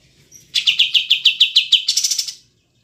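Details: Cream-vented bulbul (kapas tembak) recorded clearly as a master track for kept songbirds: evenly spaced bright chirps, about five per second, shifting into a faster, higher trill before stopping.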